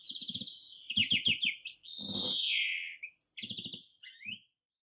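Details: A European greenfinch (Chloris chloris) at a spring bird feeder in Kandalaksha sings fast, high twittering trills broken by a long, nasal, buzzy wheeze that slides downward, over a faint low hum.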